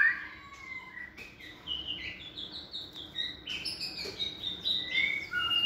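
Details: Second-season caged white-rumped shama raised from a nestling, singing fairly softly. Sweet whistled notes and short phrases repeat over a steady background hiss.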